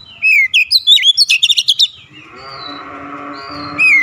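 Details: Oriental magpie-robin in an aggressive shooting song display: a loud burst of rapid whistled and buzzy notes over the first two seconds, then a quieter stretch with a low hum, and a final whistled phrase.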